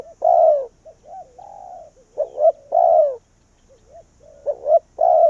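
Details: Spotted dove used as a decoy bird to call wild doves in; a series of soft low coos, some rising and falling, with louder hoarse cooing phrases repeated every second or two, against a quiet background.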